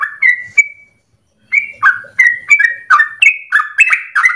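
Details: Sooty-headed Bulbul giving long rapid song as a lure for training songbirds: a few bright whistles, a pause of about half a second, then a quickening stream of bubbly, rising and falling notes.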